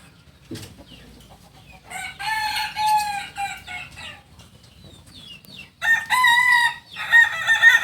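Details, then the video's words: Kokok Balenggek chicken, Solok's native singing chicken, crowing in landiak class: a long wavering harmonic note, a pause, then loud higher stepped notes in several segments, ending in a rhythmic series; faint background hum. "Ayam kukuak balenggek ayam penyanyi asli solok dengan kokok kls landiak"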